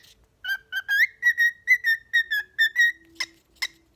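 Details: A cockatiel whistles a quick series of clear notes near one pitch, then two sharp chirps, in a sing-off between two cockatiels competing for first place.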